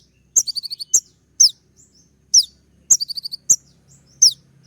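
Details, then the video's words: Sunbird known as kolibri ninja, full varied song played to trigger another bird to answer: quick high trills of about five clipped notes alternating with steep downward slurred whistles, closely spaced and loud. "putar sekali koninmu pasti nyaut masteran suara tembak yang buat konin emosi"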